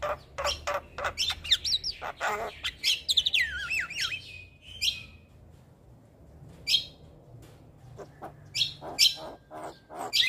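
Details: Javan myna singing nonstop, recorded for training other birds: harsh clicks and a cascade of descending squeaky whistles, then a quiet pause before scattered sharp chips and buzzy notes return.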